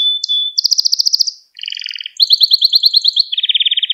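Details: Canary song for tutoring young canaries: a thin steady whistle, then a quick high trill, a brief pause, a lower rolling buzz, and a long chain of rising chirps ending in a fast lower trill.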